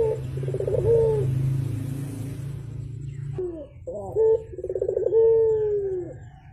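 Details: Javan turtle dove calling in the morning: a short note, then a purring rolled coo sliding down in pitch, repeated after a pause; steady low hum throughout the first half.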